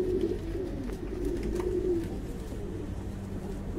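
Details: Fancy pigeon cooing at a pigeon breeding farm: one drawn-out, murmuring, low coo early on, fading into quieter throaty notes, with a constant low hum underneath.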